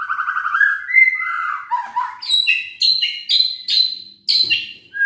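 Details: White-rumped shama singing to goad lazy shamas into song: a rapid trill slides into varied whistles, then a series of loud, ringing, high whistled notes, each sharply attacked and spaced about half a second apart.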